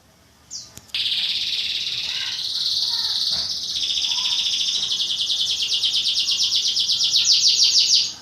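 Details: Songbird in training for local and national bird-song contests, singing against other birds. After a short chirp it sings a loud, continuous, high buzzy trill whose rapid pulses grow sharper and more distinct toward the end.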